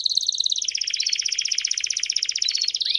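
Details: Several Belgian canaries sing together in one rapid, even rolling trill of bubbling pulses that runs unbroken for three seconds, ending on a single sharp downward sweep.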